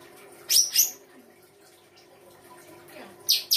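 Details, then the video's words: Songbird from an Indonesian bird-song hobby recording of full song-fill: a short doubled burst of very high, harsh chirps, a pause with faint hum, then another sharp burst at the end. "FULL ISIAN RAI GOSONG K9NCER"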